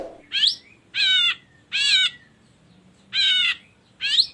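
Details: Ashy drongo sound used to get other birds singing: drawn-out, wavering nasal notes at irregular intervals, starting and ending with upslurred calls.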